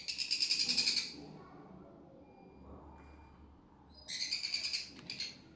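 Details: A sun conure chick being hand-fed calls in rapid, raspy, pulsing bursts, about four pulses a second. One bout lasts about a second, then a quiet pause, then a second bout. A soft room hum sits underneath.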